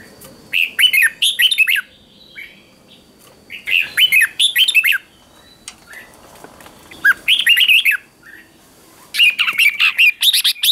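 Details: Red-whiskered bulbul in morning song, ché style, meant to train and rouse wild-caught birds. Repeated bursts of bubbly, rolling whistled notes come every few seconds, with a faint steady tone behind them.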